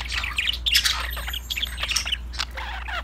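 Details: Budgerigars chattering over a steady low hum: a dense jumble of thin chirps and scratchy squawks with no clear pauses.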